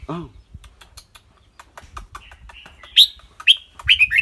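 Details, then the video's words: Red-whiskered bulbul with a clear voice: after a low arched harmonic call and a run of soft ticks, loud bright slurred whistles come spaced about half a second apart, rising in intensity near the end. "นกกรงหัวจุก เจ้าขวัญโชค เสียงใส ๆ ทั้งร้องทั้งริกๆสะใจๆครับ"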